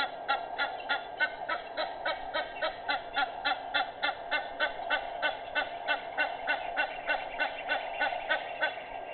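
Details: Dawn-hour Egyptian goose calling, 06:25 on 18 May 2019: continuous rapid, raspy honking, softer and more blurred, about three notes per second over steady low noise.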